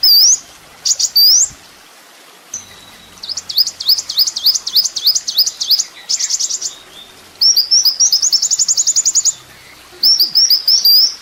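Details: Kolibri ninja sunbird on a master recording for training songbirds: rising whistles, then long fast trills of rapid high upslurred notes, broken by short pauses, ending in more rising whistles.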